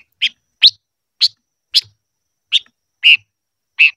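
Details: Silver-eared mesia in song practice, a series of seven short bright chip notes, some sharper and some fuller and lower, spaced unevenly about half a second apart, with a quiet background.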